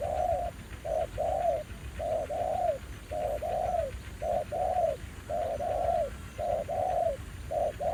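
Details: Aggressive wild male spotted dove in Vietnam, drawn by a decoy at a trapping ground: steady low cooing in paired notes, a short hoot then a longer rolling one, repeated roughly every second.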